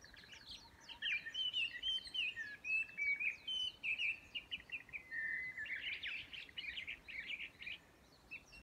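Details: Chinese hwamei at Yudanaka Onsen, Yamanouchi, Nagano, Japan, on 12 May 2020, giving a loud, rich, varied run of whistled phrases that rise and fall in quick repeated notes, with faint other birds and background hiss.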